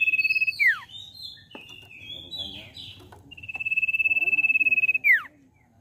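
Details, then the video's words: Common iora song played as a lure to make a young bird sing fast: a whistle's falling tail, a run of scratchy chirps, then another long, pulsing high whistle ending in a steep downward sweep. "Pancingan CIPOH BAHAN Cepat Bunyi"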